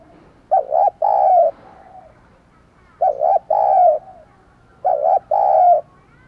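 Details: Decoy spotted dove urged to coo to call in wild doves: three low, soft two-part coo phrases, a short doubled note then a longer coo, repeated about every two seconds, in quiet surroundings.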